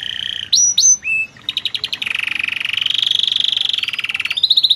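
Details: Canary of loper style singing a charming phrase. A few loud, separate whistled slurs lead into a long, accelerating buzzy trill. The trill slowly rises in pitch and finishes with a higher rolling burst.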